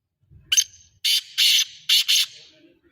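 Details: Black francolin calling: a short harsh note followed by a rasping series of four loud, buzzy, grating notes in a clipped rhythm, with a soft low rumble just before.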